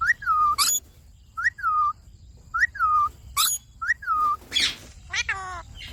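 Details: Indian ringneck parakeet, a pet, repeating a clear whistled phrase that rises quickly then slides down and holds, roughly once a second, with sharp high squeaks and a final raspy squawk.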